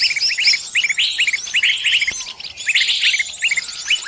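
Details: Caught bird calling its companions: clusters of crisp upswept chirps, a short lull midway, then another busy flurry of high twittering.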